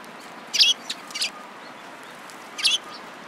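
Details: Sparrows gathered at feed at a Tenmangu shrine, 11 January 2017: a few crisp, high chirps, two close together then one after a two-second pause, over a soft background hiss.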